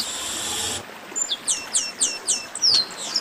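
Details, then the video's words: Chestnut-capped blackbird, esquenta song. After a hissy start, a clear series of about six high notes, each sliding sharply downward, evenly spaced, ending with a bright, louder whistle. "Melhor Esquenta de Garibaldi"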